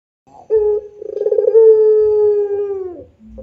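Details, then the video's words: Single complete puter coo: a clear opening note, a rapid vibrating roll, then a long smooth tone gently sinking in pitch before cutting off, in the extended pelung manner. "SUARA PUTER PELUNG GACOR DOR"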